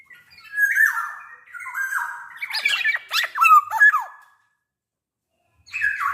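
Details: Black-naped oriole in strong singing condition, its song used as a lure to make orioles call: nasal, slurred phrases followed by a run of sharp downward-sweeping notes, a silent gap, then a further harsh phrase.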